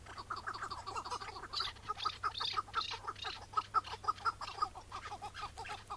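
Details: Chukar partridge of the Iraqi type, a wild bird heard on a May 2017 morning during its capture. It gives rapid clucking chuk notes about twice a second, building into a rhythmic series, with background hiss.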